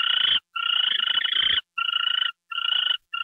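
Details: Owl taking a mouse treat late on January 28, 2013, 9:33 PM. A long vibrating rasp is followed by three shorter buzzy bursts, with faint rustling behind the first.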